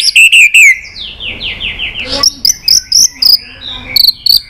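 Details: White-rumped shama singing many voices to stimulate other shamas: a few loud high notes, a descending buzzy trill, then a series of short bright whistles with clicks repeated about four per second.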